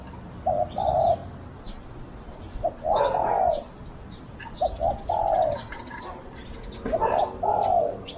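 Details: Decoy spotted dove calling to draw in wild doves: spaced pairs of soft, slightly descending coos, with pauses of a second or more between phrases, over a faint background hiss.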